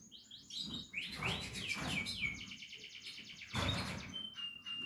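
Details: Portuguese Harlequin canary chicks singing a rapid series of looping whistled notes that merge into a buzzy, even trill, ending on a sustained flat tone.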